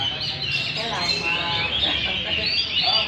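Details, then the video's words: Several old wild-caught Chinese hwamei (Garrulax canorus) sing and display in a group competition, a dense nonstop stream of bright, high, varied whistles and chattering phrases, other birds seemingly joining in, faint voices underneath. "Chim họa mi múa hót đấu giàn"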